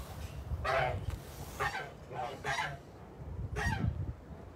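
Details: Several Kholmogory geese kept on a farm, 29 March 2021, give four separate coarse honks spaced about a second apart, each a brief nasal blast, with quieter low background rumble between them.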